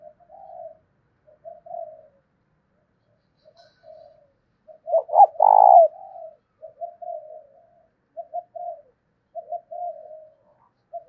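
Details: Lure spotted dove cooing to make nearby doves respond. Quiet low coos repeat steadily throughout, with one loud phrase near the middle: two hoots and a long, slightly rising, purring note.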